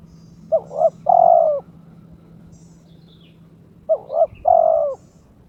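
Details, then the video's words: Spotted dove (terkukur) kept by its owner, in breeding condition and challenging an opponent: two phrases of two short notes then a longer coo, over a steady low hum and faint distant chirps. "TERKUKUR TOKCER SUARA KRISTAL MENGUNDANG LAWAN/My turtle dove chirps challenging its opponent"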